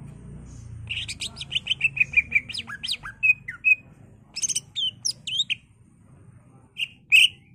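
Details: Greater green leafbird in full, energetic song for luring and tutoring other birds: rapid chattering whistled phrases, falling slurs and sharp chips in bursts, with pauses between them over a low background hum.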